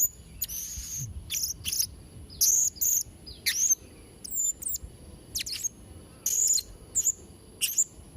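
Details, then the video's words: Blue-crowned hanging parrot giving sharp, very high chirps and whistled notes in pairs and short clusters, irregularly spaced, with quiet gaps; used as a tutor for young birds. "Variasi & Isian Suara Serindit Trotol Gacor"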